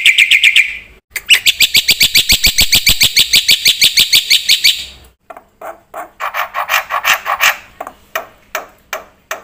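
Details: Black-winged myna in full, lively song with varied phrases, kept as a lure and tutor recording for other birds; a high buzzy burst gives way to rapid, steady chattering notes, a brief pause, then looser clicking notes.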